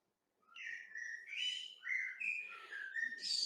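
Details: A novice young blackbird in its first singing spring, still learning its song, gives a halting run of a few thin, uneven whistled phrases wandering up and down, scratchy and unpolished, without an adult's mellow flow.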